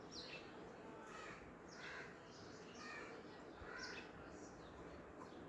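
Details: Young captive rose-ringed (Indian ringneck) parakeets chatter and play with each other, giving short, harsh, scratchy chirps about once a second at an uneven pace, over a steady background hiss.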